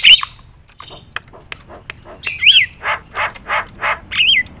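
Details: Loud Javan myna singing to stir other mynas into song, giving scattered sharp clicks, harsh hoarse notes repeated about every half second, and a couple of short looping whistles.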